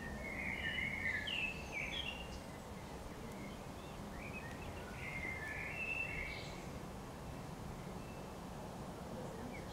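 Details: Common blackbird song recorded in April, mellow warbled phrases of fluting notes in two bursts separated by a pause, faint against constant low environmental noise.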